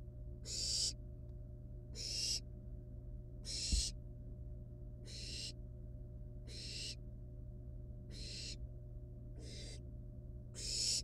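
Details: Barn owl nestlings, wild, at their nest while a live rat is played with and eaten, produce eight breathy rasping hisses at a fairly steady pace of about one every 1.4 seconds; a brief thump and steady low hum in the background.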